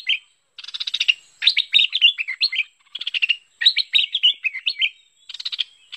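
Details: A bulbul (merbah) gives bursts of buzzy, chattering notes mixed with quick warbled phrases, high-pitched and broken by short pauses; the recording is used as a lure call to attract merbah.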